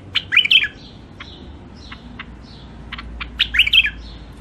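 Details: Wild hybrid finches (mules) from Mandali with clean, clear voices give two bright, fast twittering bursts of high, sweet notes. Scattered single chirps fall between the bursts, in a quiet room.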